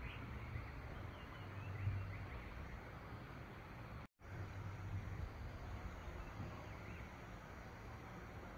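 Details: Dense low traffic roar throughout, with a brief cut to silence near four seconds and no animal call.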